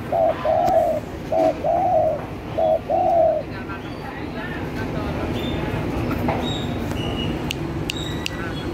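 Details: Lively spotted dove call meant as a trapping lure: three soft, hollow cooing phrases with short and long notes in the first three seconds, then only faint background noise with scattered clicks and distant sounds.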